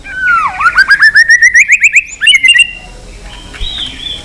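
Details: White-rumped shama in fighting song: a dipping whistle, then about ten rapid repeated bright whistled notes in an even series, a short burst of sharp notes, and quieter high whistles after a pause.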